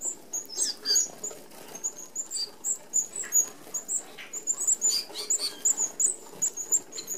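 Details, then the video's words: Australian Red-browed finches feeding as a flock behind 25 mm mesh at an open aviary feeder; rapid, high-pitched thin calls repeated through the whole stretch, overlapping with patter and whirring wings. "Red Browed Finches"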